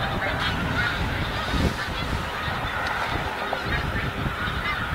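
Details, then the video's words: Snow geese on migration at Montmagny, a huge flock producing a continuous wall of honking, high yelping notes layered over one another without pause, with strong low-frequency rumble running throughout. "Oie des neiges / Snow goose"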